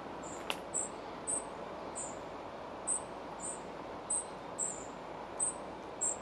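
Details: Spotted flycatcher filmed at its nest in the Moscow region in July 2023 while feeding: a series of about ten brief, very high, piercing notes at uneven intervals over a constant low rumble, with one sharp click early on.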